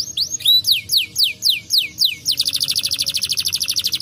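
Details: Singing brown canary meant to encourage lazy canaries: a series of loud downward-sweeping whistles, about two per second, then a fast high buzzy trill to the end.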